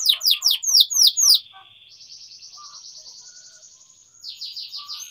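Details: Atlantic canary in energetic song used to train young canaries: a burst of loud falling chirps, then a soft, even, buzzy trill lasting about two seconds, before louder sweeping notes return.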